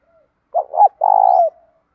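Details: Training spotted dove, a prized singer: one phrase of two quick rising-falling coos followed by a long, steady, purring coo that drops slightly at the end, then silence.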